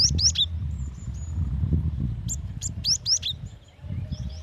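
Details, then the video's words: Softer recording of a female cinereous tit calling the male: a few brief high chirps at the start and a cluster midway, over low background murmur. "Suara gelatik batu betina"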